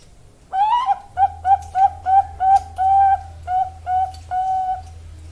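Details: Female zebra dove of the Bangkok strain, bred in Java, Indonesia, singing a run of about ten clear, mellow cooing notes. The notes are short, slightly rising and evenly spaced, with a few longer held ones, over a faint low hum.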